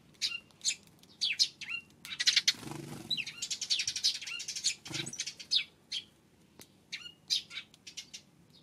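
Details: Eurasian tree sparrows on an April 25 afternoon, chirping repeatedly in short, high, slightly buzzy notes with bursts of dense chatter, broken by two brief broadband rustles or flutters.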